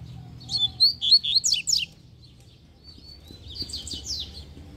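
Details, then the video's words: Double-collared seedeater giving a quick phrase of high, sharp down-slurred notes, followed by a fainter second phrase, with a low background hum throughout. "Encontramos 2 Coleiros Cantando!!!"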